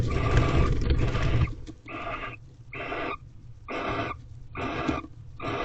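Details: Barn owls calling from an owl box while mating, late February 2023, about eleven nights into courtship. A loud, rough, noisy rush opens, then five breathy hissing bursts follow at roughly one-second intervals.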